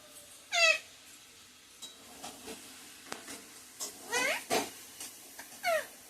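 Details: A talking parrot that says mummy and papa produces a loud falling call early on, then scattered softer clicks and two further rising-falling voice-like calls, against a light hiss.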